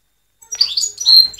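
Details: European goldfinch singing a brief twittering phrase of high, quick chirps and trills sliding around mid-high pitch, ending in a sustained bright note, with no other sounds.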